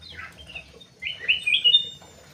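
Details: Indonesian aviary bird, the Crewet, giving a brief falling note, a pause, then a clear rising warbled phrase of sweet, sliding whistles.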